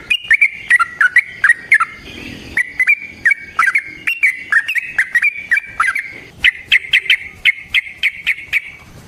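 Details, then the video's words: Long rapid song of a yellow-vented bulbul, called trucukan, used as a lure and training model: clear whistled notes rising and falling in quick succession, ending in a fast, even run of sharp repeated whistles. "Burung TRUCUKAN GACOR Ropel Panjang Cocok untuk PANCINGAN Trucuk bahan dan MASTERAN Burung Trucukan"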